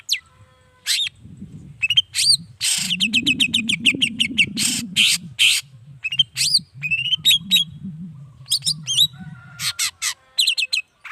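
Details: Long-tailed shrike singing in a lively chattering run of sharp clicks, harsh rasping notes and high whistled chips, heard morning, midday and evening to provoke other shrikes into answering; low rumbling noise runs underneath much of it.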